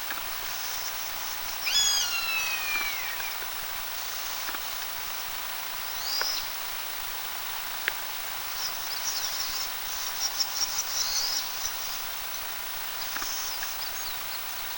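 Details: Eastern buzzard (Buteo japonicus) parent roosting in a poplar near its nest calls in alarm at a person after sunset, around 19:10 in early June 2019: one high, drawn-out mewing call sliding steeply downward, then a fainter brief cry, over a steady rustling hiss.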